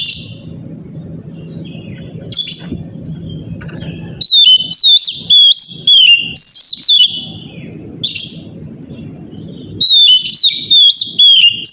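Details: Morning lure song from an Oriental magpie-robin, used to stir other magpie-robins into answering. Scattered high whistled notes over a low hum give way to loud bursts of repeated, downward-sliding whistled phrases in rapid series.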